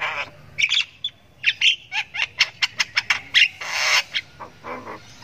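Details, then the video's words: Young Javan myna (jalak kebo) in ngriwik panjang, the long chirping of a chick learning its voice: rapid series of rasping, buzzy chirps, about three per second, ending in a broader hissing burst. "Anakan Jalak Kebo Ngriwik Panjang"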